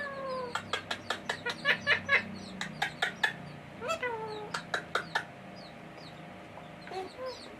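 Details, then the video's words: A male pet rose-ringed (ringneck) parakeet, a talking bird that speaks Bangla/Hindi, chatters in sharp, clipped notes about two or three per second, mixed with a few drawn-out, falling tones and then a pause. "Ringneck Talking Parrot Full Mosti || Cute And Funny Male Green Parrot Speak in Bangla/Hindi"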